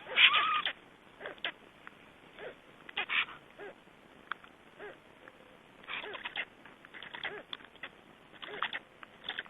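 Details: Black stork returning to its just-hatched chicks at the nest, Estonia 2012: short harsh, wheezy bursts and thin peeps, coming irregularly every second or so, on a muffled recording.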